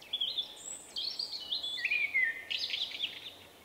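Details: Male common blackbird, a shy bird with a distinctive individual song rendered "vuippi vuippi vuuu", recorded in late March 2024: fluted whistles sliding down, then a brief pause and a bright, high twittering flourish.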